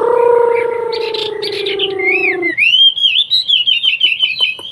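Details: Hwamei, called wambi locally and said to come from China, singing bright, wavering whistled phrases after a low, drawn-out humming tone fades out.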